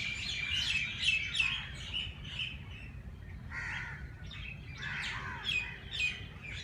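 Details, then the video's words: Morning chirping of birds in Jilani Park, Lahore: bursts of sharp tweets come in uneven clusters, with a couple of harsher, broader notes near the middle and end. "Birds sounds Chirping at race Cource Jilani Park Lahore صبح سویرے پرندوں کی پیار بھری باتیں"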